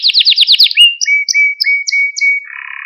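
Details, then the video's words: Singing Malta canary, recorded for training young birds: a quick series of falling chirps, then clear level whistles alternating with short high notes, closing on a low buzzy rattle. "Süper Bir Malta Kanarya Sesi Ve Ötüşü | Kanarya Huylandırma ve Kızıştırma"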